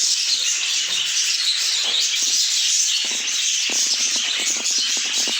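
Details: Budgerigars in a dense, continuous chorus of overlapping high chirps, warbles and twitters with no pauses, plus faint rustling clicks.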